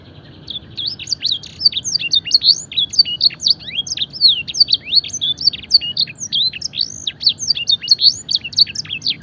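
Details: Fancy canary training song packed with mimicked blackthroat and edel sanger notes: a continuous, rapid run of very high, clipped whistles and slurred chirps, rising and falling over nine seconds, loud and steady throughout.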